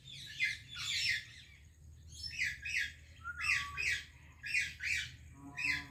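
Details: A parrot, described as an Indian parrot greeting a Pakistani parrot, gives harsh, high squawking chirps in short bursts of two or three, with brief pauses between groups and a faint low hum in the background.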